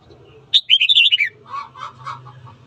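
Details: Red-whiskered bulbul morning song used in voice training to stir birds into fighting: one bright, quick warbled phrase of rising and falling notes, followed by softer lower chattering notes and a faint low hum underneath.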